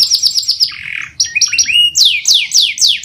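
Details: Long-singing canary, played to draw out other canaries: quick stuttering notes, then a lower buzzy roll, rising clipped whistles and finally strong repeated falling swoops, about four each second.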